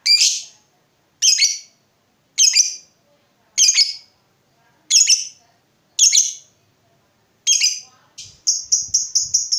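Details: Lovebird, heard in a lure recording for getting other lovebirds to sing: harsh, shrill squawked notes repeated about every 1.2 seconds, ending in a quick run of short clipped chirps.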